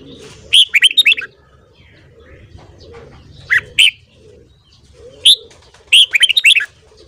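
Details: Red-whiskered bulbul singing in the morning, with a rapid tumbling phrase, a pair of separate notes, then another quick warbled burst over a low steady murmur.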